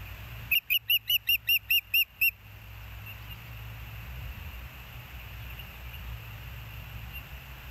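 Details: An osprey at the Hellgate nest, filmed by a live nest cam on 11 June 2024 at 13:19, gives eight loud, sharp, whistled chirps in quick succession, each about a fifth of a second apart, over steady wind and hum.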